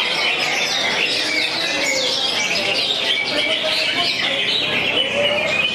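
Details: Greater green leafbird performing 'konslet' in a singing contest, 'jangkrik balap' cricket-like song style; continuous high chattering trills and brief slurred whistles amid many overlapping birds and faint voices.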